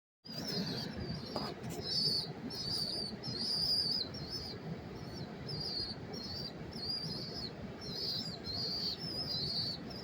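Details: Rock pigeon chicks begging up close in New York City on September 5, 2023: thin, high whistled peeps in a rapid series of short notes, repeated throughout over steady low city rumble.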